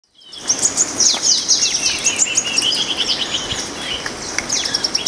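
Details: Green-tailed sunbird: dense, very high thin chirps and twittering notes, rapid and overlapping, with faint background environmental noise.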